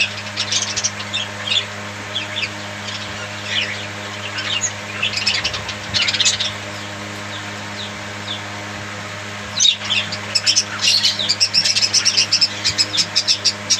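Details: Budgerigars chirping in short bursts of high warbled notes, with a quiet gap mid-way before a denser run of rapid chatter; a steady low electrical hum runs underneath.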